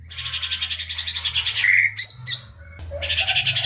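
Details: Lively White-rumped shama with full fill-ins, meant to trigger song in lazy shamas: a fast rattling trill, a few sharp slurred whistles, then the rattle resumes.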